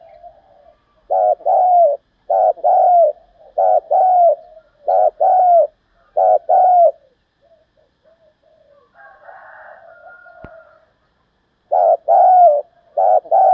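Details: Spotted dove in the 'thúc giọng' style, played to make decoy doves respond quickly. Six low two-part coos pulse at a steady pace, then a pause filled with faint murmuring and a click, before the cooing resumes.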